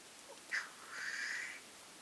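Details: Black grouse heard from a weekend hide: a short sharp note, then a drawn-out hoarse hiss lasting about half a second against quiet surroundings.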